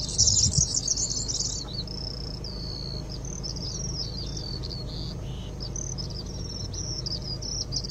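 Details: Corn bunting singing at Sandwich Bay Bird Observatory: a brief, high, dry jangle at the start, like shaken keys, followed by thin buzzy chirps over a steady low rumble of wind.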